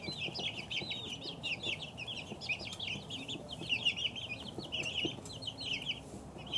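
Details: Chicks two weeks old call in a busy, unbroken stream of bright high-pitched peeps, many birds overlapping, coming in slightly louder bursts every second or so.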